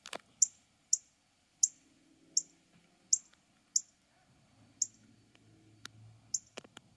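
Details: Male Northern cardinal giving a mate call: a series of short, sharp, high metallic chips, about ten in seven seconds, spaced irregularly roughly half a second to a second apart, over a quiet background with faint low rumble.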